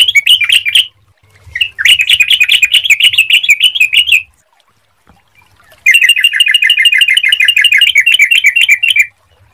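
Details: Sooty-headed bulbul lure song, clear-voiced, meant to get other bulbuls singing quickly: three bursts of rapid, bright chattering notes, the first short and the next two longer, separated by brief silences.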